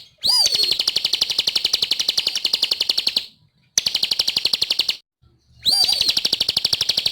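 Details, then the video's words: Bar-winged prinia singing energetically: a sharp upslurred whistle opens a long, fast, buzzy trill of rapidly repeated high notes that runs about three seconds, breaks off, resumes, then a fresh whistle starts another burst. "Ciblek Gacor"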